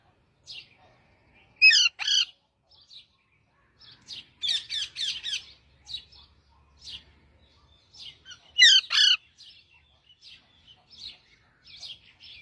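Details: Parrot singing in a varied string of chirps and harsh squawky bursts, with a quick run of repeated notes midway and softer chatter between loud calls.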